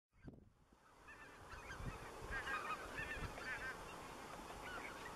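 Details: Greater white-fronted geese under the spring moon at Dannenberger Marsch on 25 March 2013: many overlapping, yelping, slightly rising calls from a flock, some bursts close together, over a steady low rumble and hiss.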